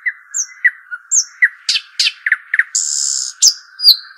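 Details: Arabian babbler, known locally as shuhaim or dakhal, giving scattered short whistled notes, quick chip pairs and a long harsh buzzy rasp, then sliding high whistles, with a constant whining tone throughout.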